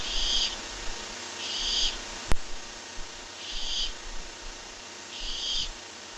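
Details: Barn owl at a nest box watched by a live camera, giving four short harsh hissing screeches spaced unevenly, with a loud sharp click early on and a faint hum beneath.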